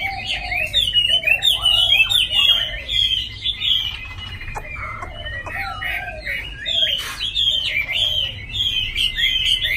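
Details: A captive Chinese hwamei, said to be in fine plumage and a good singer, sings a loud, rich run of varied whistles and fluty phrases, high and fast-changing, with almost no pauses, indoors with a slight room echo.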